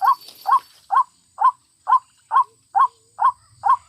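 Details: Lure calls of a white-breasted waterhen used in bird trapping: nine harsh, slightly rising croaking notes repeated evenly about twice a second.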